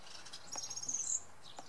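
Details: Male European serin singing on a Sunday at Oksywie: a brief, high, thin jingling trill with a sharp squeaky burst near its end, over faint background hiss.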